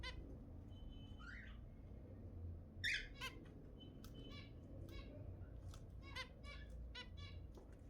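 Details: Captive zebra finches, sounds meant to stimulate breeding: short nasal beeps and buzzy, stacked notes in quick irregular bursts, several birds calling over a steady low hum.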